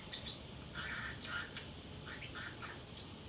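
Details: A Pacific parrotlet, left alone at home, chatters in short squeaky chirps and brief harsher squawky notes, a few in quick pairs, clear above faint indoor hum.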